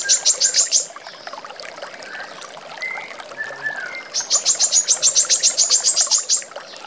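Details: Brown-throated sunbird, a female kept as a training recording for songbirds, gives a burst of rapid high chips, then a quieter stretch of softer, lower notes, then a longer rapid chipping burst.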